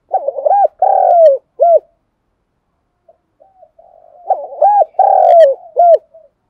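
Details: Spotted dove calling in the morning, a decoy bird for trapping: two full cooing phrases about three seconds apart, each of short rounded notes around a long falling coo, with faint soft notes between and a quiet background.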